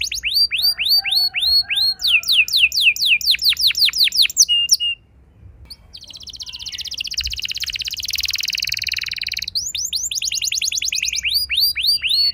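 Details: Canary singing a lure song aimed at young canaries, with long rolls: fast series of rising-falling chirped notes for several seconds, a short gap, then an extended buzzy trilled roll and a return to rapid chirps.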